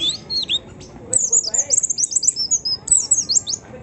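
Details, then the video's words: White-eye lure song for provoking other white-eyes: continuous quick, high, thin chirps and twitters in rapid runs, with softer lower warbles underneath. "pleci manapun cepat bukpar pancing pleci ini"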